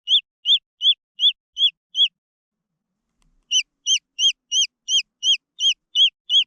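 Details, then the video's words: Green junglefowl chicks peep in two bursts of high, arched notes about three per second, separated by a brief silent gap of over a second. "The Sound of jungle fowl chicks"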